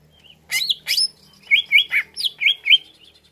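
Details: Greater green leafbird song used as a lure: loud slurred whistles and a string of about six quick, looping chirps with rising and falling inflections.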